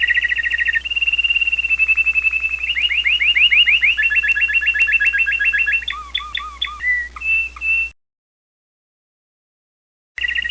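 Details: An American Singer canary sings its varied song: high, rolling trills run one into the next, shift into faster clipped phrases and short notes, then stop for a silent gap before the trill briefly resumes.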